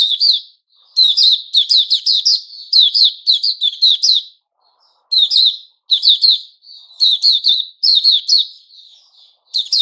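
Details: White-rumped shama (puteh raja), 29 August 2021, delivering rapid clusters of sharp, high, downward-sliding chirps in phrases roughly a second long, separated by short gaps and an occasional soft note.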